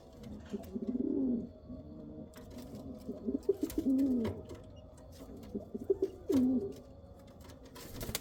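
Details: Kal Cheeni and Rampuri pigeons give three clear downward-sliding coos spaced a few seconds apart, with softer stuttering notes and faint clicks between them.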